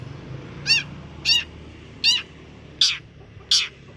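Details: Long-tailed shrike call played as a lure to make a reluctant or stressed cendet respond: five harsh, buzzy notes spaced about two thirds of a second apart, with a low hum beneath.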